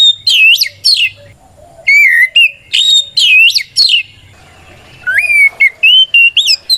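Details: White-rumped shama giving a 'gacor ngeplong' fighting song used as a lure to make other shamas answer and spread their tails: bright looping whistles, sharp trills, and sweeping upslurred notes in quick succession.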